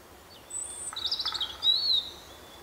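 A European robin gives a brief, high, thin warbling phrase of quick tinkling notes and a sliding whistle, over a soft background hiss.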